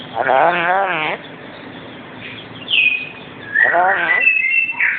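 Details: Pet black-capped lory, a male that started calling before being let out: two rasping, wavering squawks rich in harmonics, each about a second long, followed by short higher whistles and a rising squeal at the end.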